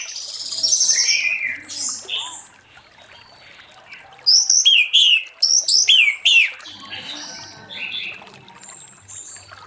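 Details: Orange-headed thrush in late afternoon, ngeplong-style song meant to prompt other thrushes to sing. Opens with bright warbled whistles, pauses, then bursts into a loud sequence of sharp, sliding high notes repeated rapidly for about two seconds before quieter twittering returns.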